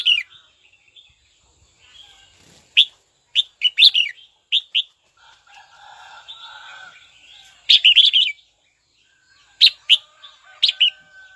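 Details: A red-whiskered bulbul in a cage calls out a rival with a series of short, sharp whistled notes and warbled phrases spread over eleven seconds, with a faint murmuring background sound in the middle.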